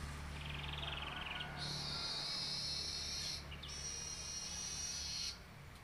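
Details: Weaver tutored with canary song, recorded Wednesday 10 July 2019: a loud, rapid rattling trill followed by long, sustained buzzy high trills, briefly broken midway, with steady low background noise.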